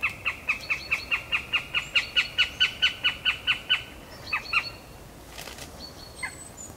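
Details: Northern goshawk pair, awaiting mating, one giving a fast, even run of about sixteen harsh, high kek notes, roughly four a second, followed by a few scattered shorter calls.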